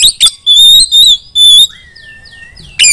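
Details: Female Oriental magpie-robin calling other magpie-robins to sing: a few sharp chips, then three long pure ringing whistles, a softer falling whistle and a final harsh burst.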